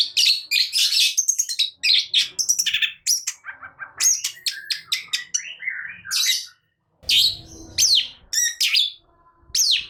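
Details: Long-tailed shrike in excited gacor nembak song, a jumbled stream of sharp chirps, squeaky whistles and harsh scratchy notes with fast pitch jumps, broken by a short pause near the end.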